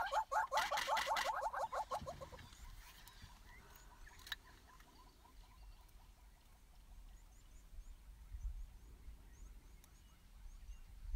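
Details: Courting pair of wet Southern Yellow-billed Hornbills bowing on a bare branch after rain in southern African savanna; loud rapid run of hollow clucks repeated several times a second for over two seconds, then quieter scattered clucks amid faint background noise.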